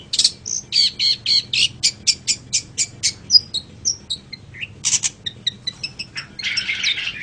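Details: Long-tailed shrike tutor song for training other cage birds, a varied fast sequence of clipped chirps, rattled notes and thin whistles changing every few seconds, ending in a harsh scratchy burst.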